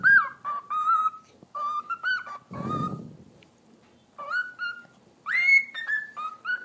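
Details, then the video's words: Clear whistled melody from a pet cockatiel performing after its talking, a series of bright, pure notes gliding down and up in phrased runs, interrupted once by a short low rustle before the tune resumes. "Sultan Papağanı Konuşması - Eşek Sıpası Diyor"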